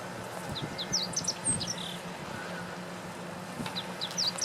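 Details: Meadow bunting singing in April 2017 at Lake Teganuma, Japan; a quick phrase of high, sharp varied notes, then a second short phrase near the end, over a low steady hum.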